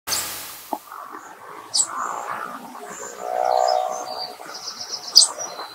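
Eurasian tree sparrow giving brief, high chirps at scattered moments, over a low droning murmur and a few other faint background calls.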